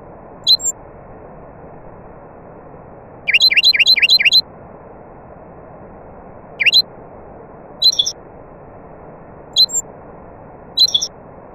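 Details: Nightingale among other birds, heard as a short burst of five fast identical sweeping notes, with brief separate high chirps before and after, all over a steady hissing background.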